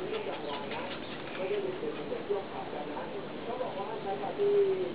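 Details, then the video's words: Greater coucal at Bang Duan, Mueang, Samut Prakan, Thailand, a mangrove-dwelling bird, sings to call a mate: deep, hollow hoots in a low, steady series, with a clearer booming note near the end and faint voices underneath. "Greater coucal, Crow pheasan big bird song นกกะปูดใหญ่"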